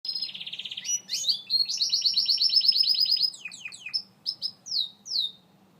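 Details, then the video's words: Gloster canary singing: a rapid buzzy trill near the top of the range, then a long fast rattling roll of repeated notes, a cascade of down-slurred notes, and a few separate clear whistled slurs to finish. "Gloster Canary Bird Singing, Kanarienvogel, Énekesmadár, طائر الكناري الغناء"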